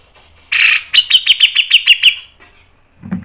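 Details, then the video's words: Grey-cheeked bulbul (cucak jenggot) tutor song, in the mbeset, ngepik, nembak panjang style: after a harsh burst, about eight sharp, rapid, evenly spaced notes run for under two seconds, followed by a brief low thump. "MASTERAN CUCAK JENGGOT MBESET NGEPIK NEMBAK PANJANG SPEED RAPAT | PANCINGAN cucak jenggot"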